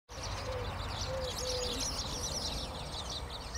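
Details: A busy colony of Spanish sparrows in Bulgaria, 28 April 2017, keeps up a dense, continuous chatter of high chirps, with a low steady rumble of background noise and a few soft low notes.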